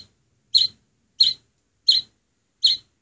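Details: Oriental greenfinch chick taken in as a nearly naked nestling, on its seventh day in care and regaining strength; four short raspy begging notes, evenly spaced roughly two-thirds of a second apart, in a quiet room.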